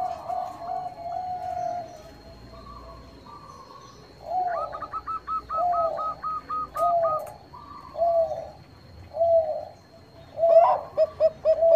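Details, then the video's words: Zebra dove (perkutut bangkok) lure call: soft, rolling cooing phrases about once a second, with higher chirping notes from other birds between them. "PANCINGAN PERKUTUT BANGKOK GACOR - SUPER AMPUH, BIKIN LAWAN PADA BUNYI"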